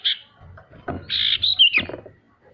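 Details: Male sirtu song used to coax lazy birds into singing: a short burst of bright whistled notes, a brief high note, then a sustained whistle breaking into a sharp twisting descending flourish, with soft low rumbling beneath.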